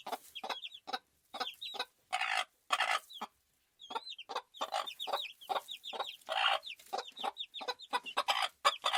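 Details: Flock of farm chickens: steady stream of rough clucks with short gaps, over which many small high, curling chirps repeat busily.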